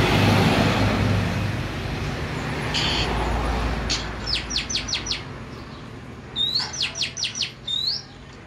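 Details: A hand-raised Oriental magpie-robin sings clear, high, down-slurred whistles in quick runs of four or five notes, after a few seconds of traffic rumble and background noise.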